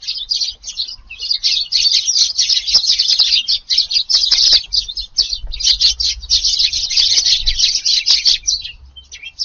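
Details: Garden sparrows at their evening meal on a windy July 18, chirping almost without pause in a dense, chattering stream of high notes, with faint low wind beneath.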